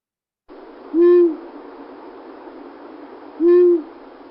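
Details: A long-eared owl in Michigan gives part of its unusual couple call: two low, soft, hollow hoots about two and a half seconds apart, over a steady background hiss.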